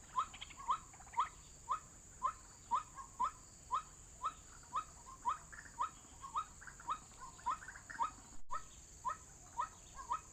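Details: White-breasted waterhen call from an MP3 lure used for bird trapping: a long, even run of clipped, upward-sliding notes at roughly two per second, over a constant high-pitched hiss.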